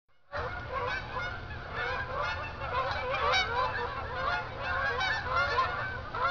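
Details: A flock of geese flying at night from a field back to Jourdan Lake at Lake Odessa, Michigan; dense overlapping nasal honks start abruptly and continue without pause, many birds calling at once.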